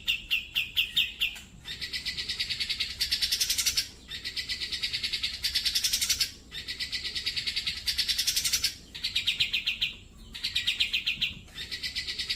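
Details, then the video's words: Grey-cheeked bulbul in a tutor recording for pet birds. It gives repeated phrases of dense, buzzy trills, each lasting one to two seconds with brief breaks between them. Some phrases step up sharply in pitch. "suara burung cucak jenggot Masteran Paling Gacor"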